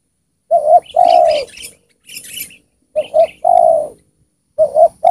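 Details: A wild Spotted Dove brought down by a decoy coos a soft, low phrase of two short notes and a drawn-out falling coo, repeated about every two seconds, with faint high hissing behind.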